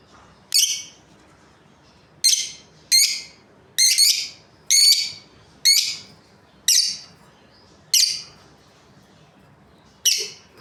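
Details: Shrill, buzzy chirps from a breeding pair of Australian lovebirds, about ten bursts, some coming in quick pairs or runs, others spaced a second or two apart, over a faint steady background hum.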